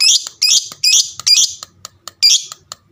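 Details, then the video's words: Fighter lovebird, a pet bird, calling so other lovebirds answer: a quick series of four shrill squeaky chirps, a pause with faint clicks, then one more sharp chirp. "burung lovebird fighter ngekek panjang suaranya sadis dengar sebentar langsung nyaut"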